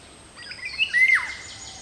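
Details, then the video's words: Indian golden oriole uttering a short mellow whistled phrase, a quick note followed by a longer slurred one that bends downward, against soft high chirps from other birds and steady background hiss. "Indian Golden Oriole / Video & call"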